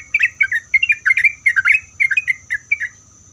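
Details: Sooty-headed bulbul singing to provoke answers from other bulbuls: short clusters of rich, gurgling whistles that rise and fall, quickly repeated, then tapering off, with a faint high-pitched hum.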